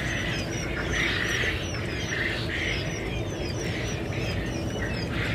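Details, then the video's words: Quail chicks calling on 15 February 2021: overlapping shrill cheeps and brief whistled slurs repeated rapidly by many chicks, set against a persistent roaring hiss. "Quail chicks"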